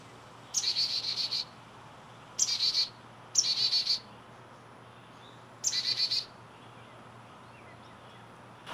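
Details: A young chickadee at dawn, very talkative, gives four high, buzzy bursts of rapid notes, each half a second to a second long, a second or two apart, over quiet background hiss.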